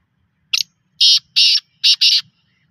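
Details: Black francolin giving a loud, harsh, grating call: one brief opening note, then two rasping pairs of broad buzzy blocks, each lasting roughly a quarter second, in a quiet setting.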